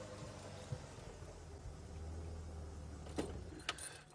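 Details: Keys jangle over the low, steady rumble of an idling vehicle, with a few sharp metallic clinks near the end.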